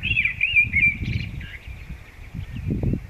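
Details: Wild common blackbird song on the Kundler Bergweg near the Zauberwinkel: a rich fluting phrase that opens loud and trails into softer twittering, with low rumbling ambient noise beneath.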